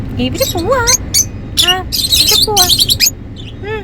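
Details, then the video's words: Happy lovebirds calling together in a lively bout of shrill, buzzy chirps and screechy bursts, mixed with lower warbling, rising-and-falling whistled notes, all packed densely through nearly four seconds with few pauses. "Happy lovebirds making sounds"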